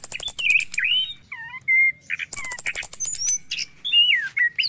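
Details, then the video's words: Morning song of an orange-headed thrush, used to prompt silent caged birds to sing: rattling high trills broken by rich whistled slurs, a steady held whistle, and rising and falling warbled phrases, loud and close. "PANCINGAN ANIS KEMBANG DI PAGI HARI"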